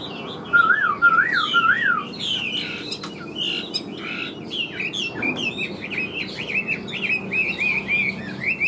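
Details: A caged, large-bodied, yellow-legged Chinese hwamei that arrived just after midnight sings the next morning, flicking its tail: a rich, fast run of varied whistled phrases, loud slurred notes rising and falling, with lower wavering whistles at the start.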